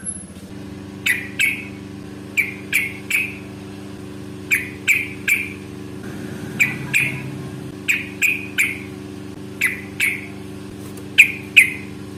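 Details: Yellow-vented bulbul in fighting mood, recorded as a lure to make other bulbuls answer; short bright chirped notes in pairs and threes, spaced irregularly, over a steady low hum and faint engine noise.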